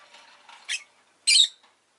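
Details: Rosy-faced lovebird as a pet, giving two shrill squawks, the second longer and louder, over a soft low chatter.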